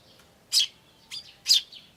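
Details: Tree sparrow chicks and adults filmed on 10 May 2013 with an ivis camera. Three sharp high chirps within two seconds, the middle one softer, over a quiet background.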